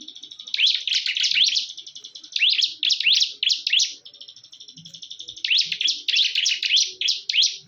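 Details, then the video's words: Bar-winged prinia, called ciblek, in a fierce fight, mixing rapid clusters of high, swooping chirps with stretches of dry, buzzy trilling; the loud bursts recur every second or two. "PERTARUNGAN SENGIT BURUNG CIBLEK"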